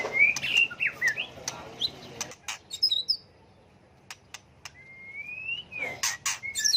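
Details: Varied whistles and chirps of a white-rumped shama, used to incite song contests, open the recording. A near-silent pause with faint clicks follows, then a long rising whistle and a burst of sharp notes.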